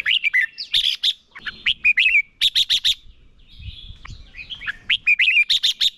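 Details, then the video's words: Red-whiskered bulbul decoy bird singing competitively, used to train and stimulate other bulbuls to sing: rapid bursts of bright, slurred whistled notes and sharp chirps, several phrases in quick succession with brief pauses, faint low thumps beneath. "Chào mào mồi hót đấu quá tuyệt - Luyện giọng Chào mào hót hay ép bổi sổ bọng và căng lửa"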